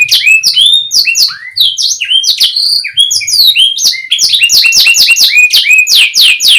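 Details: Canary singing a rapid, continuous string of bright rising and falling whistled syllables, some notes repeated in quick series, with a few lower swooping whistles and sharp clicks throughout.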